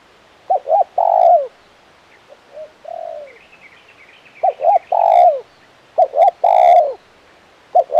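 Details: Spotted dove of the crisp 'kuk 1' calling style uttering repeated three-part coo phrases, two brief notes and a longer downslurred croo, with fainter coos and light twittering of other birds in between.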